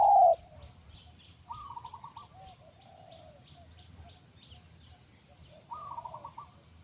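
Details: Spotted dove (terkukur) from the wild, heard during bird-trapping training of a new dove: an abrupt loud knock opens, followed by two quiet bursts of quick stuttering coos and a softer lower coo between them, with faint background chirps.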